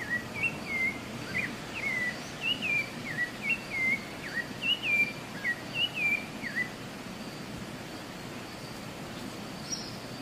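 Rufous-bellied thrush singing a string of clear, whistled phrases that slur downward, about one every half second for six seconds, over a steady soft hiss.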